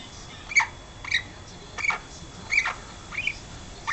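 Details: Princess parrot (Polytelis alexandrae), 12-week-old pet: five harsh, squawking chirps about every 0.7 seconds, each a brief downward-bending burst, with a steady faint whine behind.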